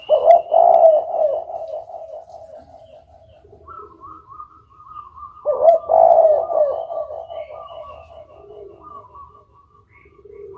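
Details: Spotted dove cooing in two loud rolling phrases about five seconds apart, each a low hollow throaty coo that wavers and trails off, with a higher thin tonal line in between.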